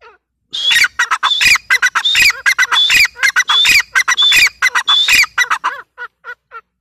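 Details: Female grey francolin calling: a loud, harsh, squawking run of rapidly repeated notes for about five seconds, then several softer, shorter notes trailing off into quiet.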